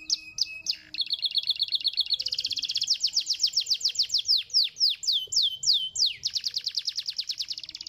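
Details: Canary song for stimulating other canaries, opening with a few separate whistles, then a long accelerating series of sweeping notes, a handful of slurred whistles, and a dense high rattle.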